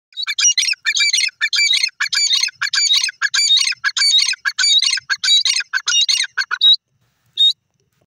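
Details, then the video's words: Grey francolin, known locally as desi teetar, giving loud, harsh, scratchy calls in a dense run of rapid bursts for about seven seconds, then a short pause and one final burst. "gray francolin bird sounds 21min,desi teeter ki awaz"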